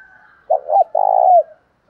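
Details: Spotted dove calling to provoke a fight, male and female voices: one full phrase of two short bending notes and a long rough rolling coo dropping at the end, with a faint high tone before it.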